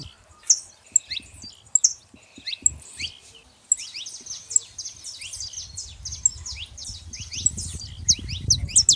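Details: Wild saffron finches gathered free in nature, many birds calling at once: dense, overlapping high chirps and short downslurred notes, with a soft low rumble of background noise.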